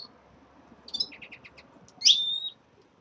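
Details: Caged red-fronted serin at the start of moult: a short series of quick high chirps, then a loud buzzy note sliding into a drawn-out whistle.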